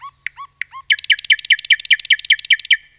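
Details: Common nightingale song in a forest. A few separate slurred whistles lead into a fast, even run of about fifteen identical chirps, roughly five per second, over a quiet background.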